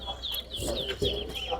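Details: Towa towa singing in a bird-singing competition at the Lusignan bird ground, Guyana. Clear whistled phrases rise and fall in short repeated notes over steady low rumbling background noise.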